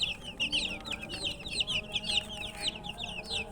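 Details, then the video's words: Peeping of thirsty chickens' chicks wanting water, a crowd of shrill falling chirps packed closely together, several chicks calling at once with a faint hum underneath. "Murgi chicks Chirping sounds"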